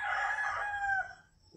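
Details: Chicken crowing at a quiet rural home in the morning after sunrise: a loud, harsh, sustained crow that holds steady, then slides down and cuts off, followed by silence.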